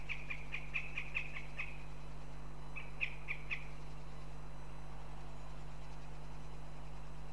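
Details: Female northern goshawk at a nest in Riga, Latvia, demanding food from her partner: a fast series of sharp, high, nasal notes, about seven in a row, a pause, then three or four more, over steady low hum.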